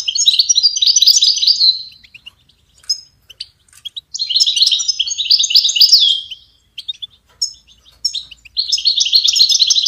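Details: Goldfinch singing for songbird training: long rapid twittering phrases of bright, jangling notes in three bursts, broken by short gaps with isolated chirps.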